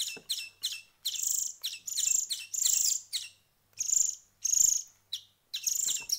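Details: Young songbirds being hand-fed give high, sibilant begging calls. Short chirps alternate with drawn-out rasping wheezes in irregular bursts.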